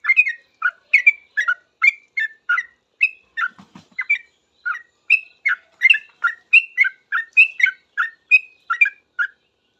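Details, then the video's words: Sooty-headed bulbul singing busily after hearing other bulbuls: a long, fast string of bubbly whistled notes and upslurs, briefly interrupted by a faint low thud midway, then resuming steadily. "Trucuk gacor paling cepat di respon trucuk lain langsung bunyi ribut ropel"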